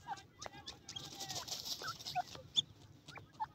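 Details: Young francolins playing together, giving short soft peeps and brief rising chirps scattered through the clip, mixed with clicks, rustling and a steady hiss of background noise.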